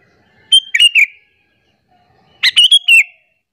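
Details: Chatty sooty-headed bulbul calling to lure and anger other bulbuls: two quick bubbly phrases of three to four sharp chirps, about two seconds apart, clean and loud against silence.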